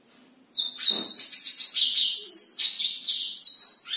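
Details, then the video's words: Black-throated canary singing at night, used to stimulate sluggish or non-breeding birds, bursts into a long, unbroken song of high, rapid twittering and thin trills after a faint low hum. "blackthroat gacor"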